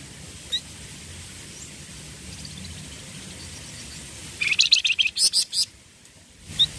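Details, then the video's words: Flamboyan songbirds singing together: after quiet with one lone tweet, a rapid rattling burst of high, bright chirps lasting about a second and a half, then a final single note. "FLAMBOYAN OMBYOKAN LANGSUNG BUNYI"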